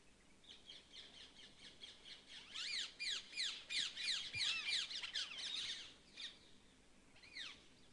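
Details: A group of Jungle babblers in Sariska Tiger Reserve, Rajasthan, India, chatter in a harsh, squeaky chorus that swells into overlapping rapid notes, fades, then ends with one lone call.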